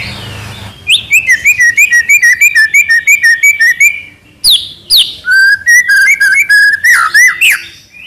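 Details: Murai batu, the White-rumped shama, in trotol style: a long run of quick repeated whistled notes, sharp downslurs, then another rapid string of clear whistles with a few twisting accents.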